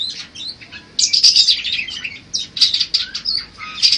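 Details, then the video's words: Budgerigar chattering song for tutoring other songbirds: a dense, scratchy high warble of squeaks, buzzes and chirps rising and falling in bursts. "Suara Kicau Burung Parkit Berbagai Variasi Untuk Masteran atau Pancingan"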